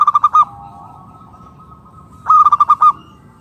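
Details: Local zebra dove whose call lures other doves to answer; two loud rapid rolling bursts of about six clipped coo notes each, separated by a quiet sustained tone, with little background noise.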